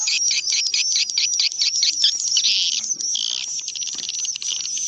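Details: Swiftlet lure call in the karindanga style, played to attract swiftlets to swiftlet houses: a dense, continuous stream of rapid high chirps and twitters, many overlapping, with no pauses and an even loudness throughout.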